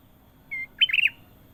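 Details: Sooty-headed bulbul, called kutilang emas, in gacor singing style: a short, steady, clear whistled note, a brief pause, then a quick bubbly warbled phrase of rising and falling notes. Faint low background hum.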